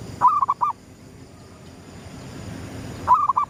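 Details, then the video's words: Zebra dove, local type, cooing at sunrise in the gedong mengo pattern used for luring: a clear phrase of four quick rolling notes, a pause of about two seconds, then the same phrase again. "suara pikat perkutut gedong mengo,manggungnya pas menyongsong mentari terbit"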